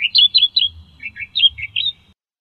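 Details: Australian reed warbler, a reed-dwelling bird endemic to Australia. It gives a quick, jumbled phrase of rich, warbled notes that swing between higher and lower pitches.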